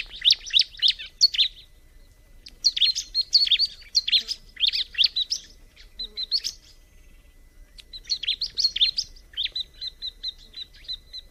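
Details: Bar-winged prinia delivering clusters of loud, high chirps in repeated bursts, ending in a rapid even series of thin ticking notes; clean, quiet surroundings.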